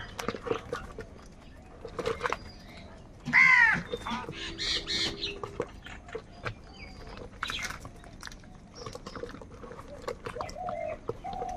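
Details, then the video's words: Crows squabble over food. One loud, raspy, harmonic caw rings out a third of the way in, followed by a run of rougher, buzzier calls amid frequent clicks and tapping noises. "Crow sound of kaka - Crow bird live Crowing sounds | কাকের ডাক Crow Sound Crow ki Awaz Loudly"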